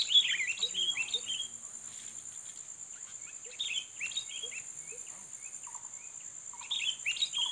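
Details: Sooty-headed bulbul lured to challenge a rival: quick descending chirps open the recording, followed by spaced bubbly notes and brief lower whistles, all beneath a constant shrill insect drone.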